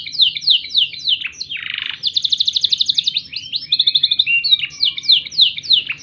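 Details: Black-throated canary song as a canary tutor recording: rapid downslurred notes, a buzzy rasp, a long fast rattling trill, thin whistles, then more quick repeated slurs.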